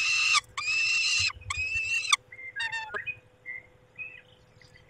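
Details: At a nest in Poland, a male peregrine falcon caring for the females, 23 May at dusk: three loud, grating wails about a second long, followed by quieter short whistled notes and chatter.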